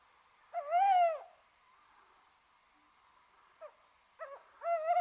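A tawny owl gives a long, slightly arched hoot, then after a pause a few short stuttering notes running into another drawn-out, wavering hoot.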